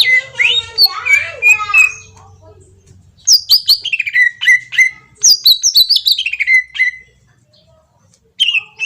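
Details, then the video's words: Green leafbird from Kalimantan sings a lure to prompt answering song. A jumbled warbling burst is followed by a pause, then bright bursts of quick, descending whistled notes in clusters, ending in silence and one last high note. "pancingan cucak ijo auto nyaut bunyi langsung"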